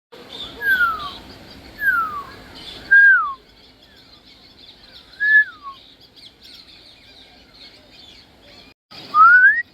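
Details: African grey parrot whistling: clear, pure descending whistled slurs repeated about once a second, a pause, then a single whistle that rises and falls, and finally one upward sweeping whistle.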